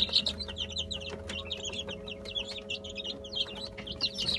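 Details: Many Brahma chicks peep shrilly and almost nonstop while feeding on egg-and-bulgur mash, their short high notes crowding together over soft tapping and a constant low mains hum.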